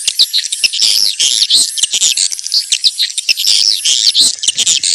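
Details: Swiftlets giving mating calls: dense, continuous high-pitched twittering and chirping from many birds, with sharp clicks throughout.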